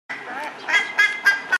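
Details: Adult black-faced ibis (Theristicus melanopis) in the town-centre streets of El Bolsón, Río Negro, Patagonia, Argentina, 31 January 2017, gives harsh nasal honks: a rough opening note, then three or four loud metallic blasts.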